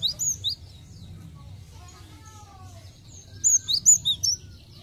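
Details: Cinereous tit lure song: a few thin high chirps, a lull with faint lower whistles, then a lively burst of five rapid, sharp downslurred notes, all over a soft background hum.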